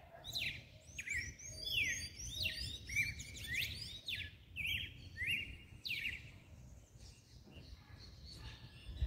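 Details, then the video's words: Double-collared seedeater, coleiro, giving mateiro-style song meant to excite males: rapid bright chirps and sweeping whistled slurs in dense bursts, a brief pause, then more sharp notes, with faint low rumble underneath. "Canto do coleiro MATEIRO Pra esquentar macho."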